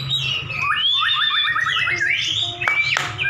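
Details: White-rumped shama duel between two caged champion birds: a high whistle, then a rapid series of identical rising notes, a swooping phrase and sharp clicks near the end.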